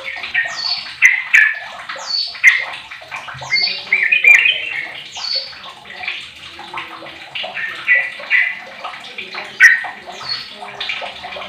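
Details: A 15-year-old sooty-headed bulbul used as a lure to set other bulbuls singing: bubbly, mid-pitched chattering phrases repeated roughly every one to two seconds, with a watery splashing sound underneath.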